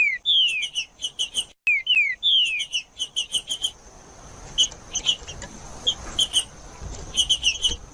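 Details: Green-winged saltator singing, used to warm up a cold bird: two loud whistled phrases, each a falling slurred note and a quick series of clear repeated notes, then quieter intermittent chirps to the end.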